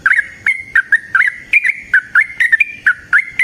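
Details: Yellow-vented bulbul, recorded as a lure to coax other bulbuls into song, delivering a steady stream of short, liquid, wavering whistles roughly every quarter second.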